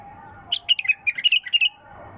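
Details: Bulbul singing with a clean, natural voice: a lively string of roughly a dozen sharp chirped and slurred notes packed into just over a second, framed by soft background droning.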